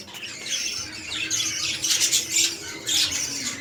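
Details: Red-eyed lutino budgerigar breeding pair indoors; softer background chatter with a few louder raspy bursts near two and three seconds, over faint low hum.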